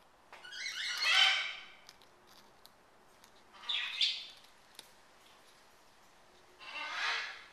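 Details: A pet military macaw eating a peanut-butter cracker as a treat gives three harsh, raspy squawks about three seconds apart, each a short grating burst with quiet pauses between.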